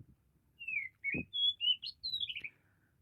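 Oriental magpie-robin singing a quick run of clear, varied whistles, slurred up and down and high-pitched, with a soft low thump partway through.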